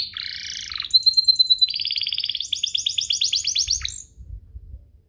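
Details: Canary lure song to make other canaries sing: a low nasal buzzy phrase, a bright pure whistle, then an accelerating rolled trill rising in pitch before stopping near the end.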